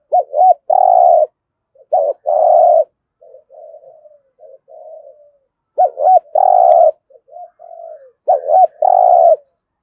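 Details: Spotted dove giving a prodding coo to stir other birds into calling: low throaty cooing phrases of a hooked opening note and a long rolling coo, repeated about every two seconds, with softer quiet murmurs between.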